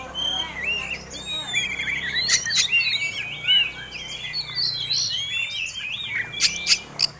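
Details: Oriental magpie-robin fighting song used as a lure for other birds: looping whistled phrases and long rising-falling notes, broken by a few sharp clicks, with soft background noise.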